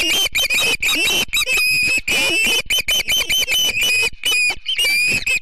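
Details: Montana Osprey family at its Charlo nest on a typical September morning, 7 September 2016, captured by a live stream camera; shrill whistled chirps come in quick bursts with short gaps, some notes sliding upward.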